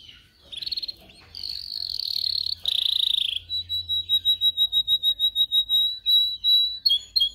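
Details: Canary song for training canaries: rolling buzzy trills, then a steady run of clear pulsed whistles at an even pace, ending in quick upswept notes.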